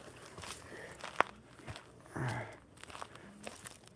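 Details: Footsteps, crunching and rustling on the ground, with a sharp click and a low background hum, and no animal voice.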